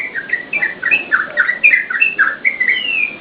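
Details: Yellow-vented bulbul singing energetically, meant for provoking and tutoring caged birds: quick chains of bright, slurred chirping notes, about four per second, with a rising whistled sweep at the end.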